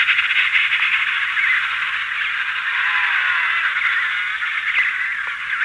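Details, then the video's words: A dense colony chorus of emperor penguins, adults and chicks, with many overlapping warbling, trumpeting calls, occasional soft wing beats and a steady, slightly hissy background. "Emperor Penguin / Colony MD, Calls From Adults And Chicks With Wing Beating"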